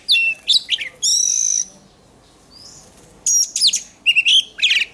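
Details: Oriental magpie-robin singing for contest training: loud whistled phrases and a long ringing note, a quiet gap with a soft whistle, then renewed fast varied whistling.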